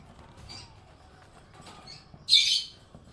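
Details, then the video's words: Pet budgerigar, described as happy, giving a few faint high chirps followed by one loud, harsh, buzzy squawk-like chirp near the end. "Happy budgie chirping sound"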